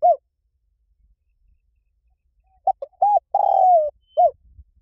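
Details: Lio tan coo of a spotted dove, meant to prompt other doves to reply. A single coo, a long silence, then the full phrase: twin short notes, an arched coo, a long falling note and a final coo.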